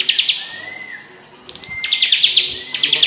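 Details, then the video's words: Tame bar-winged prinia singing as a hand plays with it; rapid high buzzy trill bursts separated by thin, drawn-out rising whistles, trills returning near the end. "CIBLEK gacor jinak di mainin pake jari tangan langsung nembak suara nya"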